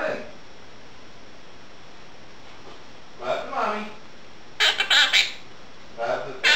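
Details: Pet Quaker parrot (monk parakeet) talking indoors while its owner washes dishes, repeating phrases like "what are you doing", "give me a kiss" and "good morning": a short muffled phrase, then harsh, squawky word-like bursts.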